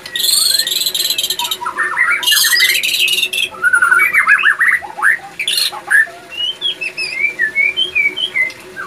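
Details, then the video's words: Male white-rumped shama in breeding condition; loud harsh buzzy bursts alternate with quick rising whistled notes and a run of short clipped phrases toward the end. "Ciri - Ciri Burung Murai Batu Jantan Birahi"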